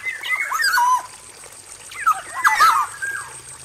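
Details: Male black-naped oriole singing in an aviary cage, two bursts of swooping fluty whistles roughly two seconds apart, each with rough scratchy overtones.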